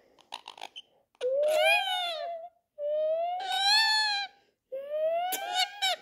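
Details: Ringneck parakeet kept as a pet, fighting with a person: three long, rasping squawks, each rising slightly and held for over a second, separated by brief pauses, with a few faint short notes at the start and laughter nearby.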